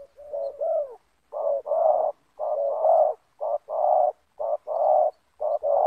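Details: Yard encounter between a decoy spotted dove and a wild rival it is luring, both with the loud 'banggo' voice. Strong, low, throaty coos delivered in quick uneven blocks, nearly continuous.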